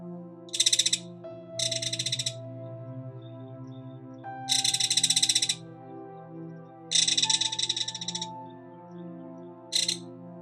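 Belted Kingfisher giving five harsh, dry, high rattles, each about a second long, separated by short pauses, over soft background music.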